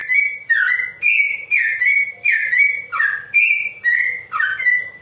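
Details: Sooty-headed bulbul singing a slow-toned song, used as a tutor recording for straw-headed bulbuls: bright whistled phrases with short falling and rising slurs, repeated about every half second with brief pauses between notes.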